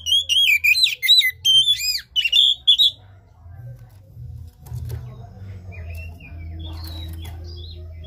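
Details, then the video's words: Oriental magpie-robin, played to coax a reluctant caged bird lacking breeding drive into song: three seconds of loud, rich whistled phrases with sweeping, looping notes, then quiet with faint distant chirps over a low hum. "Pancingan KACER malas bunyi macet kurang birahi"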